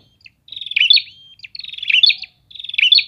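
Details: Prinias calling back and forth give three rattling, buzzy trilled phrases with sharp chirped ends, joined by thin drawn-out whistles.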